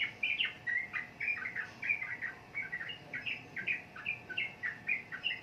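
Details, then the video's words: Sooty-headed bulbul: a continuous chatter of short slurred whistles, bouncing up and down in pitch, repeated several times a second without a break. "Burung Trucukan Kicau Mania"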